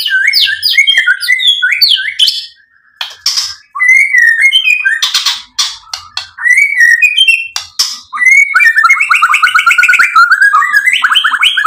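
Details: White-rumped shama singing to provoke rival birds: clear whistled notes and slurred phrases mixed with sharp clicks and chips, delivered in quick bursts with brief pauses, ending in a dense rolling warble.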